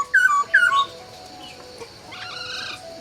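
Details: Two loud slurred whistles from a laughingthrush at dawn, followed by softer, rougher chatter.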